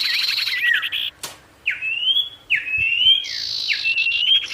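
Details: Energetic sirtu song meant to anger wild rivals into coming close: a series of clear whistled phrases, each rising then dropping sharply, separated by brief gaps, with a faint click.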